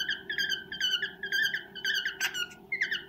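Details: Pet male cockatiel courting a female indoors, singing a serenade of steady warbled whistles, short wavering phrases repeated roughly twice per second, broken by one sharp buzzy note near the end over faint room hum.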